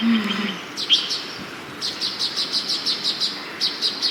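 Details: Baya weaver birds chirping in front of a house in Hyderabad: a brief low note, then a burst of high, thin chirps, followed by a steady run of about a dozen sharp, evenly spaced high ticks with a short pause near the end.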